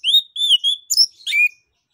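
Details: Orange-headed thrush in ngeplong song, used to prompt other birds to sing: three clear rising whistles in a row, then quick scratchy high notes and a final drawn-out whistle.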